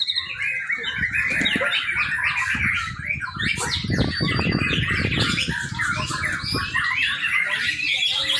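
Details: Young White-rumped shama singing, a recording offered as a lure for training other birds: a rich, unbroken stream of varied whistles, chirps and rapid trills, with dull low thumps and rumbling in the middle seconds.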